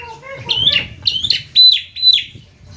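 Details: Javan myna song in 'konslet gacor' style: a low, speech-like murmur followed by four sharp, high, slurred whistles spaced about half a second apart.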